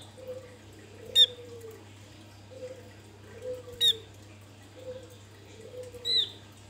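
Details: Wild Javan grey-throated white-eye used as lure sound: three thinner, quieter high whistled notes roughly two and a half seconds apart, two preceded by sharp clicks, amid repeated soft low cooing and a steady hum.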